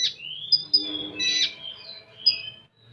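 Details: Common iora, known locally as konin, singing in the 'full tembakan' style: a long rising whistle, sharp high pips, then a buzzy burst and drawn-out falling whistles, with another short pip near the end.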